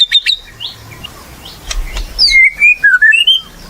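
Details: White-rumped shama song used as a lure to prompt other birds: scattered short chirps at first, then a run of clear whistled notes stepping up and down in pitch, some sliding, against quiet background.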